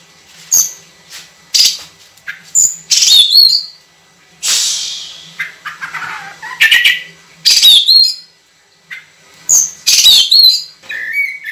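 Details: Kacer, the Oriental magpie-robin, in full song as a training recording with long, clear shots. It mixes harsh buzzy bursts, rich warbles and high whistled slurs, broken by brief silences, over a faint low hum.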